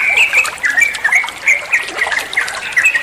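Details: Song of a trucuan bulbul used to tutor other cage birds: short bright whistles and upward-flicked notes repeated in quick succession over a soft background hiss.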